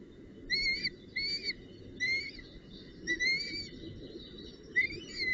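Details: Northern goshawk, a female at the nest with a branch and prey, recorded 19 June 2018. Clear, mid-high whistled calls with rich overtones, each about a third of a second, repeated irregularly around six times, over constant rustle.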